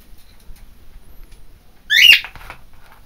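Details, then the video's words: Pet macaw screaming: a single harsh, raspy squawk lasting about a quarter second, with strong overtones, after a quiet stretch of low room noise. "the Macaw screaming"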